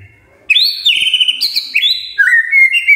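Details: Magpie-robin morning song used to prompt other magpie-robins to sing: clear, loud whistled notes that slide and step between pitches, each held briefly before shifting.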